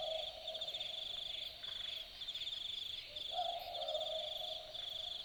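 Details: Australian boobook at night in the bush of Dharug National Park, Australia: a faint hoot early, then one clearer two-note boo-book, high then lower, over a continuous pulsing high-pitched insect chorus.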